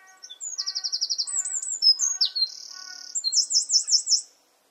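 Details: Garden wren in full song: a fast high trill of repeated notes, then quick whistled slurs, a sustained buzzy reel and a closing series of rapid rising-falling notes, loud and continuous for over four seconds.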